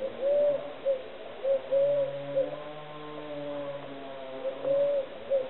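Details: Eurasian collared dove giving repeated soft, low, hollow coos in short-long groupings, with a steady low droning tone running underneath through the middle part.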